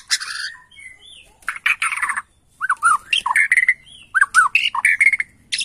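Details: Excited Borneo white-rumped shama answering a lure song: harsh buzzy notes followed by repeated looping whistled phrases with short pauses between them.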